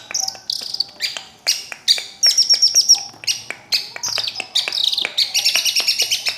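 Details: Long-tailed shrike in varied song: high whistled notes, quick trills of repeated pure tones and scratchy chirps, interrupted by sharp clicks, ending in a fast twittering series.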